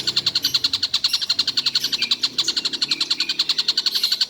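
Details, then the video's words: Steady rattling series of sharp high notes, about three to four per second, from a collared kingfisher said to sound off all day without pause, with a soft low rumble underneath. "Tengkek buto seharian bunyi tidak berhenti"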